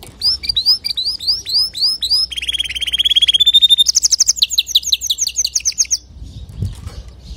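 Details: Male canary singing to teach young canaries: a run of repeated rising whistled notes, then a fast rattling trill, then a higher buzzy trill of quick repeated notes, ending in faint low noise.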